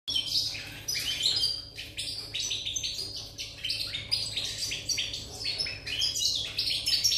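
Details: European goldfinch singing on 8 November 2019: a continuous, fast, liquid twitter of tinkling notes and short buzzy trills, rising and falling, over a faint steady low hum.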